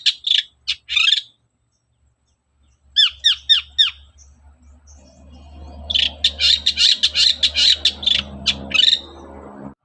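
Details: Long-tailed shrike morning lure song, played to make other shrikes sing: scratchy notes, then a quick series of downslurred whistles, followed by a long harsh chattering run over faint background rumble.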